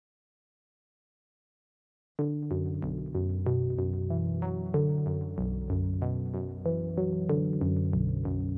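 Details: Two seconds of silence, then upbeat electronic music with synthesizer notes and a steady drum-machine beat; no animal sounds.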